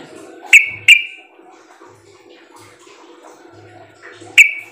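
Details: Sooty-headed bulbul calling as a lure so other bulbuls respond: two sharp, bright chirps close together, a long quiet gap with faint background noise, then one more chirp.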